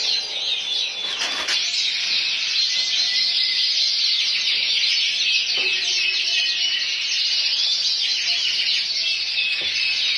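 A frill canary sings a continuous, high, rapid warbling song of trills and chirps, running unbroken throughout, with a brief thump near the start.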